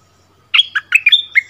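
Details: After a half-second pause, a bulbul delivers a short loud phrase of about six rich notes, several sliding down from high to middle pitch, in a duel with a resident territory holder.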